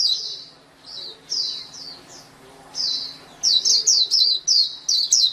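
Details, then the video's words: White-eye (pleci) singing in bursts of high, slurred chirps, a pause near the middle, then a rapid run of sharp notes closing the passage; a low steady hum sits underneath. "SUARA MAHAL KICAU BURUNG PLECI"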